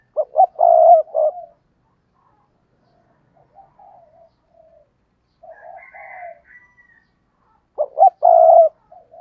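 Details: Spotted dove kept as a decoy, with two loud stuttered coo phrases about seven seconds apart, each ending in a long husky coo. Faint soft coos and a higher muffled note fill the gap.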